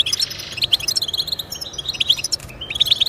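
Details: Short stretch of goldfinch song for motivating pet birds to sing: quick, sparkling chirps and ringing twitters running almost without break.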